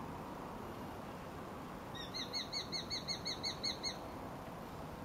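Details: Two juvenile Japanese sparrowhawks calling to each other, recorded 15 July 2011; they call back and forth before flying off together during flight practice. After two seconds of quiet, a fast series of about twelve thin, high, even notes in a faint outdoor background.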